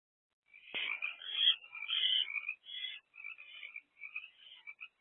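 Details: At 1 am on 7 April 2024, a barn owl mother perches with two owlets by their nest box; a sharp click opens loud, rapid chattering that fades into lighter, spaced twitters.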